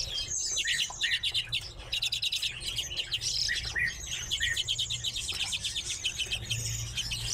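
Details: Caged redpolls call in pulsing bursts of rapid trilled chatter, with sharper chirps now and then, many birds overlapping, and a low hum underneath.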